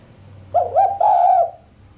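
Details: A female island collared dove's sharp coo with no closing 'kuk', described as stirring the male: two quick ascending notes flowing into one long, steady coo, with low hum beneath.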